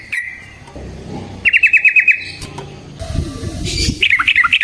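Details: Long fighting song of a yellow-vented bulbul, used as a lure: a single chirp, then a quick run of bright repeated notes, a short burst of noise, and a final trilled phrase.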